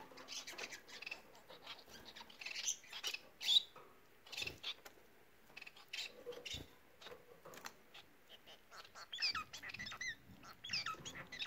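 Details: Bengalese finches singing: after a stretch of scattered clicks and rustling, a burst of short, curved, squeaky notes comes in quick succession near the end, with faint shuffling in the background.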